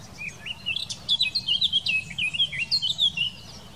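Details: Eurasian blackcap singing in the Wittlich valley, Germany, in 2018: a fast, loud warble of bright, rising and falling whistled notes, tightly packed and ending in clear fluty phrases, over a low rumble of background noise.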